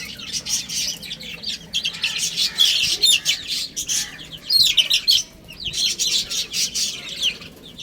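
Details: Little chicks chirping while they eat and play: loud, shrill peeps crowd together in pulsing bursts roughly every half second, continuing steadily throughout.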